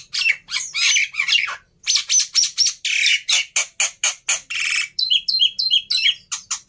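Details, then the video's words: Emotional fighting black-winged myna from Indonesia, kept for training quiet starlings: harsh squawking bursts, then a steady series of short clipped notes repeated about three per second. "Burung Jalak Putih fighter Emosi Nya kelewatan || Cocok Untuk Masteran Jalak Bisu"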